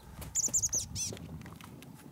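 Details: Chestnut-backed chickadee at Douglas Island, Juneau, Alaska, on 19 March 2020, giving a quick run of four very high, thin chips, then one more sharp note a moment later, over soft outdoor background noise.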